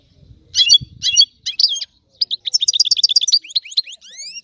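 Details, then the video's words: European goldfinch singing: a few clipped high chirps, then a fast tinkling twitter of short notes and rising slurred whistles at the end. "تغريد الحسون"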